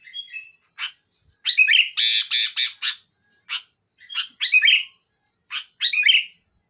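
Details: Sooty-headed bulbul pressing a rival with loud, sharp song: soft whistles lead into a cluster of harsh, rasping blasts, then scattered short phrases of whistles and buzzes.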